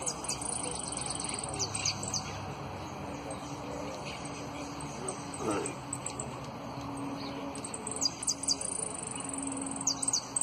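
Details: Saffron finch, a runner-up in song competition, giving high whistled notes and quick trill bursts, pausing mid-passage before resuming near the end, against a constant low hum and faint voices.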